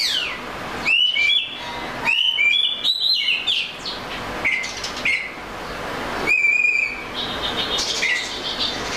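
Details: Melodious Oriental magpie-robin song with bright whistled notes and quick warbles, some phrases repeated, separated by short quiet gaps.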